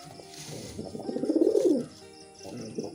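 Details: A pigeon during mating gives a single drawn-out low coo that rises then falls, swelling for under a second before fading into a quiet hum.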